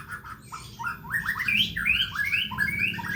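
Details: Loud, clear white-rumped shama (murai batu) song, long and varied, used to lure pet birds into singing at home: quick run of rising and falling whistled notes, fluty slurs and short chips, with a low hum underneath.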